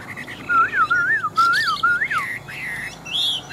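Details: Caged Chinese hwamei, a big wild-caught fighting bird, delivering a run of loud, rich whistled phrases that rise and fall in repeated arcs, ending with higher slurred notes.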